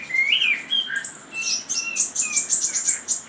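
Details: Chinese hwamei singing a rich, varied run of whistled notes, some rising and falling in sweeps, others high and thin, delivered in quick continuous succession.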